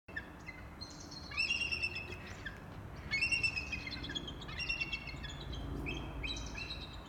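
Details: Bald eagles at Big Bear Lake: a trumpeting Mrs. BB joins Stormy (2018 hatch) and Shadow (about 4 years old) in a chorus. High, thin, piping chatters come in four quick bursts about every one and a half seconds, over a low outdoor rumble.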